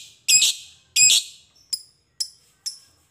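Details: Fighter lovebird, serving as a lure to set other lovebirds singing: two loud harsh screeches followed by three short, thin high chips, all within three seconds.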